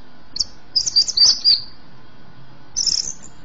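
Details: Javan green magpie singing vigorously, offered to push young birds into song; very high, thin squeaky notes in a short cluster, a pause, then another brief high burst.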